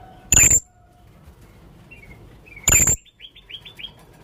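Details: Young blue-crowned hanging parrot calling, from a lure recording: two loud, sharp, very high piercing notes about two seconds apart, then a quick run of six short thin rising chirps, with faint whistled notes in between and a low background hiss.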